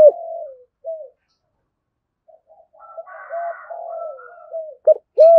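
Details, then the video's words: Spotted dove, 'thổ sấm' voice type, cooing and calling. It is quieter and sparser, with a drawn-out coo, a short note, then a long murmured, wavering passage and two loud clipped coos at the end. "cu gáy thúc gù/ cu gáy thổ sấm thúc gù và gáy gọi"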